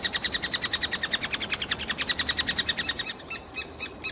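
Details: Nestlings of the three-toed woodpecker in a tree cavity in Kalinovsky forest park, Yekaterinburg, screaming for food brought by parents; dense rhythmic squealing pulses for three seconds, then a few separate louder high notes.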